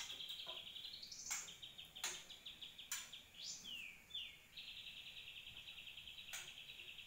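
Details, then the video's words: Grey-cheeked Bulbul, a 2020 recording intended to tutor other birds. Quiet, rapid trilled runs and descending whistled slurs are broken by a few sharp clicks, over background hiss. "Cucak jenggot"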